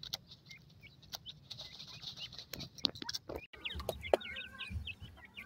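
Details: Grey francolin chicks: after some clicks and rustling, a run of rapid, sharp, high peeps with harmonics starts midway and continues to the end.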